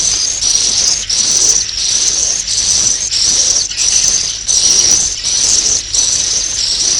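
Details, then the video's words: Swiftlets calling to roost: a long series of high, shrill, buzzy chirps, each about half a second long. They repeat evenly, roughly one and a half per second. "Suara Walet Inap"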